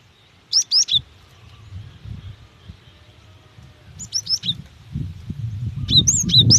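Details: A female cinereous tit calls a male, used to stimulate song in other tits: short groups of two to four high, hooked chirps separated by pauses, with rising low rumbling noise toward the end.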